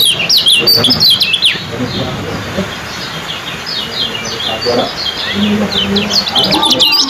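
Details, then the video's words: Yellow kecial kept as a competition bird, in a contest of song speed and duration, giving quick bursts of sharp, high, downslurred chirps, with a hum and faint background noise between the bursts. "suara KECIAL ciak joss"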